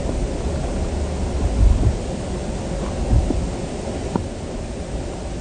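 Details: Low, rumbling wind-like noise runs throughout, with a few faint knocks and thumps.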